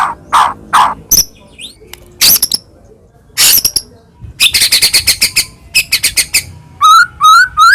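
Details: Varied white-rumped shama song used to provoke a rival shama: scattered harsh, noisy bursts and pauses, then fast repeated trills and a closing series of rising whistled notes.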